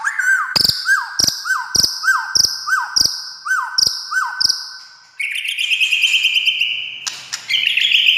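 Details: White-rumped shama song used to provoke silent shamas into singing: about eight clear upslurred whistled notes repeated roughly every half second, then a sustained buzzy trill ending in a short sharp burst.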